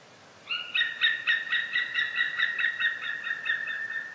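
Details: Rapid series of sharp, metallic yelping notes from a white-tailed eagle, beginning abruptly and continuing evenly for several seconds with bright overtones, against low background noise.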